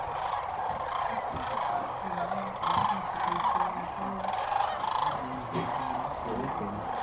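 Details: Migrating sandhill cranes at dusk by the Platte River near Alda, Nebraska, where hundreds of thousands pass each year: a steady wall of overlapping rattling calls, swelling loudest around the middle, with faint low murmurs from watchers in a blind.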